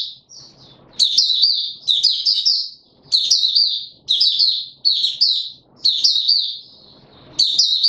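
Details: Caged male white-eye being brought into singing form, recorded 31 December 2021: rapid, high, jumbled twittering phrases in bursts about a second long, separated by short pauses, with faint low rustling between them.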